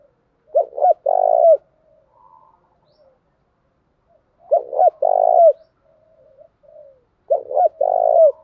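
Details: Spotted dove, a female decoy bird whose 'thúc gù' and 'gáy gọi' cooing is used to lure and excite other doves; three low phrases, each two short hoots then a long buzzy coo, roughly every three seconds, soft murmurs between.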